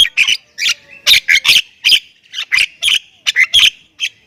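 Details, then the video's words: Thailand-type Javan myna in lively full isian chatter: a steady run of rasping, squawky notes mixed with brief clear whistles, closely spaced across the whole stretch without pause. "Jalak Kebo Thailand Gacor Full Isian"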